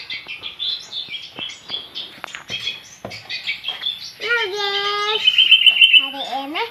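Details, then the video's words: Young long-tailed shrike learning to sing: a rambling run of chirps and twitters, then harsh nasal calls with stacked harmonics repeated toward the end, plus a faint high steady tone throughout. "burung cendetbmuda belajar bunyi"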